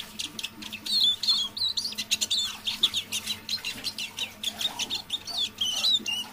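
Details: Eurasian siskin kept as a caged decoy bird, singing quietly in half voice in the evening; a continuous high twittering stream of chirps, trills and quick wavering whistles, with a faint low hum behind.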